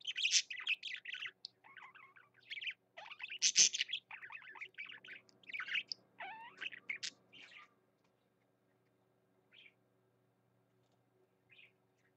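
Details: Pet parakeet singing a scratchy, chirpy warble for several seconds, loudest early, then trailing off into silence with only two short faint chirps near the end.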